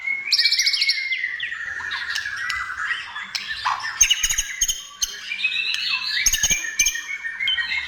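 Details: Vigorous white-rumped shama singing aimed at provoking other shamas, with harsh squawky notes mixed into fast whistles, trills and buzzy chatter.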